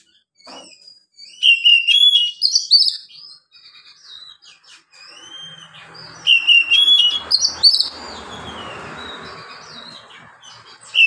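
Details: Relaxed song of an oriental magpie-robin, played to encourage other reluctant magpie-robins to sing: varied whistled notes and sweeps in two bursts separated by quieter gaps, with a broad hiss later.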